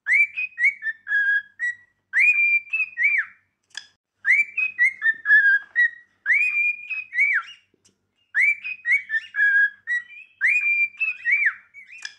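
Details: Cockatiel singing practice: a pure whistled tune of rising, level and falling notes, the same phrase repeated about every two to three seconds with short pauses, with a few faint clicks in an otherwise silent background.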